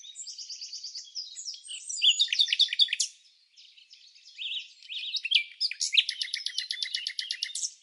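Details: Red-backed fairy-wrens interacting during the non-breeding season in Samsonvale, Australia: high, fast reeling trills and sharp chattering notes in bursts, a brief pause midway, then a dense buzzy rattling reel; no other sounds.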